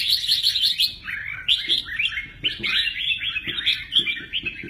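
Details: Red-whiskered bulbul with 'mơ ché nẹt' song and showy wing play, delivering a continuous stream of rapid, chirpy, slurred notes, rising and falling, with scarcely a pause and a faint low rumble beneath.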